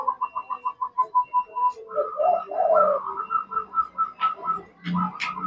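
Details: Mocca-line zebra dove cooing repeatedly: rapid evenly spaced soft notes at the start, then warbling rolled phrases and further bursts of hollow notes, with faint low thumps in the background.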